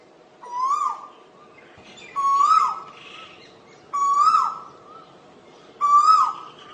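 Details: Four rising, fluty koel notes, each swelling up then falling away, repeated roughly every one and a half to two seconds over a quiet, steady background.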